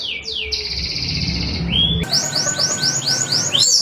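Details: Canary lure song used to draw replies from other canaries: long steady high whistles and a sliding note, then a rapid string of bright upward-curving chirps over background hiss.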